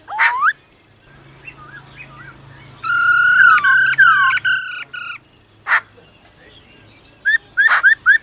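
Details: A female laughingthrush's "ro ro" call meant to excite a male. Scattered clicks and soft slurs lead into a run of loud, rich, held notes broken by brief pauses, then quick rising chirps at the end.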